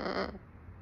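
A macaw gives a single short, harsh, raspy squawk lasting about a third of a second, followed by quiet indoor room tone.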